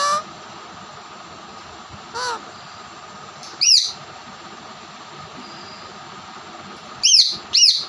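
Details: Pet ringneck parrots fighting with a Raw (Alexandrine) parrot indoors: five short, harsh, rasping squawks with bent, falling harmonics, in bursts about a second or more apart, with quiet pauses between and faint room hum.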